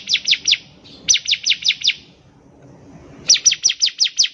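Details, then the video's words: Ciblek, the bar-winged prinia, singing vigorously to prompt other birds: three quick phrases of high, piercing, descending chirps, roughly five to six notes each, with a short gap and faint murmur between. "PANCINGAN CIBLEK GACOR || CIBLEK BAHAN PASTI CEPAT BUNYI"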